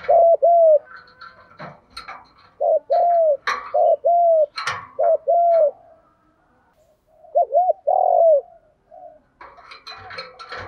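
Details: A decoy female spotted dove calls to lure males. Mellow low coos repeat in quick pairs and short series, mixed with rattling and clattering knocks, with a break before another run of coos.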